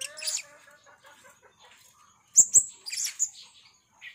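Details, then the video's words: Blue-crowned hanging parrot, with soft rasping buzzy notes at first, then two sharp, very high clicks followed by a shrill chattering burst and a short fading chirp. "serindit rintik merah gocor"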